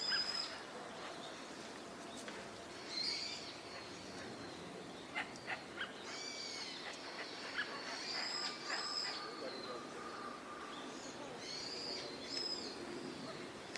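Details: Wigeon calling on a park pond at Junsai-ike, Chiba, Japan, December 2025, with northern pintails nearby; scattered high whistles and rising-falling notes from several ducks over continuous hiss and low murmur.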